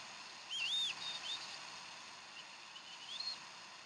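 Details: Bald eagle at the Decorah nest on 15 April 2012, at an evening feeding of fresh duck: a short high whistled call rising and falling, a few faint squeaks after, over steady background hiss.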